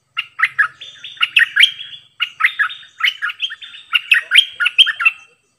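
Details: Many-song decoy bulbul: three rapid phrases of bright, swooping whistled chirps, each a second or two long, separated by short pauses, with a steady bouncing rhythm.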